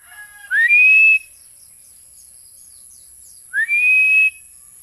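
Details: Philippine eagle giving two loud high whistles, each sliding upward and then held level for about half a second, separated by a three-second pause in otherwise quiet surroundings.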